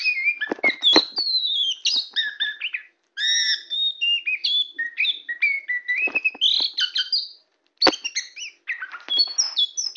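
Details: Very tame Oriental magpie-robin, black-bellied form, singing from a person's hand: rich, fast medley of high whistles, chirps and slurred phrases punctuated by sharp clicking snaps, in bursts separated by two short silences.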